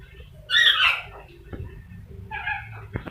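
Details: Rainbow lorikeet mimicking chicken sounds: one loud raspy squawk early, then quieter clucking notes and a second softer harsh call, followed by a few sharp clicks.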